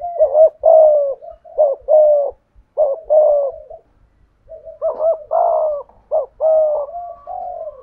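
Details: Spotted dove decoy giving its 'thổ' style coo: a rapid series of short rising notes each followed by a longer steady hollow tone, a brief pause, then louder repeated pairs.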